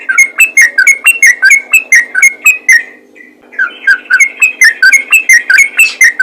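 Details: Yellow-vented bulbul in fast 'ropel' calling meant to bring answers from other bulbuls: rhythmic slurred whistled notes about two per second, a quiet pause near three seconds, then renewed, busier chatter.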